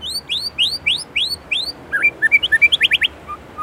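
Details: Indonesian white-rumped shama in full song with 'isian' fill: five clear rising whistled sweeps, then a quick jumble of twisting notes and a rapid burst of short high trills, closing with two soft low whistles.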